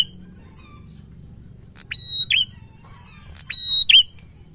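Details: Prinia song in the loud, drawn-out 'gacor ngalun' style, used to stimulate a quiet prinia into singing: two bursts of sharp, high buzzy notes with a clear whistled tone, about a second and a half apart, over faint low hum.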